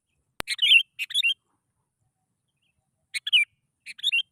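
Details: Sooty-headed bulbul lure sound meant to provoke other bulbuls to sing: a sharp click, then brief gurgling chirpy phrases, a pause of nearly two seconds, and more short bubbly notes.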